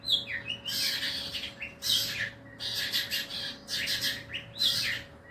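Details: Cendet, the long-tailed shrike, in a mental test, giving loud buzzy, rasping phrases of about a second each, separated by short pauses, with a few thin whistled notes mixed in, against a constant faint electrical hum.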